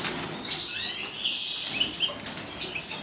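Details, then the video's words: Wild canary (Serinus canaria) recorded in 2015, singing a dense, rapid, high-pitched warble of trills and twittering notes that runs without a break. "Wild Canary 2015 Serinus Canaria"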